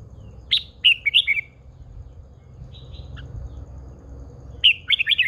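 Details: Caged Red-whiskered bulbul, an old wild-caught female used to excite males. Two lively phrases of quick, sweet chirping notes, with a soft, faint note in the gap between them, over a low rumbling background.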